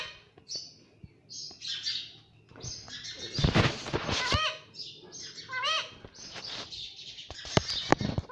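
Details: Pet parrot said to say mummy and papa: a mix of short high chirps and a few loud harmonic rising-falling squawks near the middle, with faint clicks and rustling around it.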